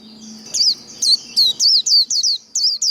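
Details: Japanese white-eye giving líu đấu, the fighting song used to stimulate wild-caught birds: a low hum fades into about nine high, rapid, falling twitters in a quick, slightly uneven series.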